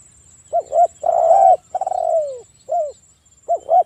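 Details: Breeding-condition spotted dove used as a lure to provoke calling: a quick doubled hoot, a long even coo, then a stuttering, falling drawn-out coo, a single hoot and another doubled hoot, with a faint steady high whine.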